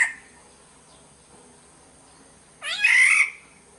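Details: Black-naped oriole from Sumbawa, lure sound: the tail of one nasal call at the start, then a full harsh, mewing squawk with a rising onset near the end.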